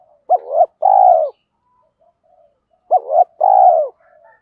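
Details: Loud, clear cooing from a spotted dove decoy kept for luring wild birds: two phrases about 2.5 seconds apart, each a quick rising note and then a long, slurred, purring coo.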